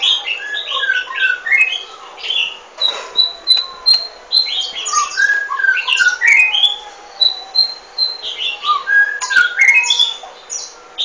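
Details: Golden-fronted leafbird delivering a long, busy medley of whistled, rising and falling notes and chattering phrases, with a few sustained pure whistles and a clear repeating high note, almost without pause.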